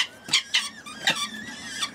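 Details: Falconry Danube saker falcons with about three-week-old chicks, recorded 30 August 2015: harsh, high squealing calls, four short rasping bursts in two seconds, against a quiet indoor background.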